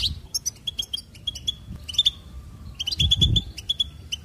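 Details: Goldfinch warbling in trains of rapid, evenly spaced bright chirps, a short lull midway, then a renewed twittering run with light buzzy accents.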